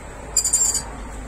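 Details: One of three lorikeets, named rainbow lorikeets, feeding on nectar at camellia flowers gives one brief, shrill, scratchy screech of about half a second, very high-pitched, over faint hiss; finding: coconut lorikeet.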